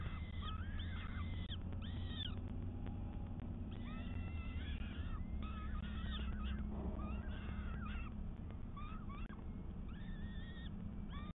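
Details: Peregrine falcon heard through a live camera feed on 12 May 2022, giving bursts of harsh, arched wailing notes in clusters with short gaps, over constant low-pitched background rumble.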